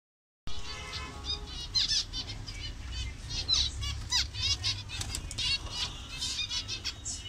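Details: A colony of zebra finches in various colour variations, in Bangladesh, calling together: a dense chorus of short, nasal, harmonic chirps overlapping continuously, with a steady low hum underneath.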